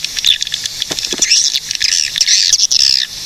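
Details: Swiftlet calling from Cilacap, Central Java, Indonesia, used as lure and tutor audio: a brief burst of shrill, squeaky twittering chirps over a steady background of fast ticking clicks.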